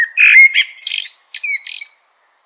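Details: Loud mellow whistle from a common blackbird (Turdus merula), flowing into a rapid, high, scratchy chattering twitter that fades out.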